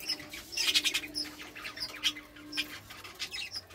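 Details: A pair of budgerigars gives quick, high chirps and short squeaky notes in scattered bursts, with a faint steady hum underneath.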